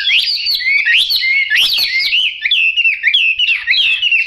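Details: Yellow-billed, yellow-legged Chinese hwamei delivering loud sweeping whistles, rising and falling slurs repeated roughly every half second, forming a bright, continuous melody.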